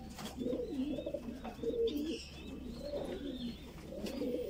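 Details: Voorburg Shield Cropper pigeon chick, a Dutch fancy pigeon breed, begging while being fed. Low, wheezy squeaks and murmuring coo-like notes come in uneven bursts, with faint higher chirps in the background.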